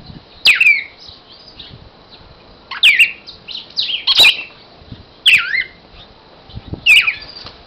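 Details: Cardinal singing while held in a person's hand: loud, clear whistled notes sliding downward, given in bursts every two to three seconds, with handling rustles in between.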